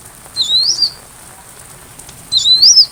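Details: A sunbird gives two separate high, wavering whistled phrases that rise and then fall slightly, spaced about two seconds apart, against soft rain; recorded to tutor a white-rumped shama.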